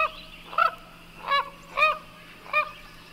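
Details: Common Gallinule giving four loud, reedy, honking squawks, each rich in overtones, spaced irregularly over three seconds.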